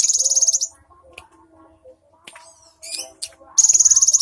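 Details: Caged cinereous tit giving rapid, high, buzzy trilled bursts of repeated notes, loud at the start and end, with quieter scattered chirps and faint background sounds in between.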